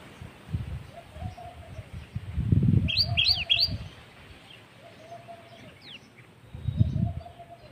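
Common tailorbird giving a quick run of three loud, sharp, high chirps, with a fainter note later; low thumping noise and a soft, low cooing hum underneath.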